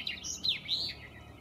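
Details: A singing male Common Chaffinch in the Kennemer Dunes, Netherlands, on an early spring day gives a brief, bright song of quick, high slurred notes that dip and rise, ending in a jubilant final trill, over a quiet background.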